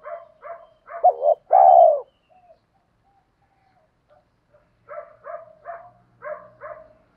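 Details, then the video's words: Spotted dove lure call to provoke wild doves: one loud, hoarse rolling coo after a few shorter notes, and later rows of paired, buzzier repeated notes with higher overtones. "chim cu gáy thúc kích bổi rất xiêng gáy, tiếng gáy gọi dúp bổi nghe xong có hứng gáy theo liền"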